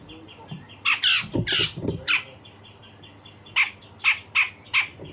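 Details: Grey-cheeked bulbul delivering rough rasping phrases and sharp notes, used to train other songbirds: loud harsh squawks in a cluster, a pause, then four evenly spaced sharp rasping notes.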